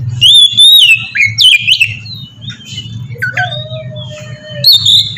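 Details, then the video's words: 'Ngeplong' song of an Oriental magpie-robin, played as a lure for other magpie-robins. Sweet whistled slurs and squeaky notes, then a long steady mid-pitched tone and a final sharp whistle, all over a persistent low hum. "suara burung kacer ngeplong merdu sangat ampuh buat pancingan kacer bahan bikin cepat gacor"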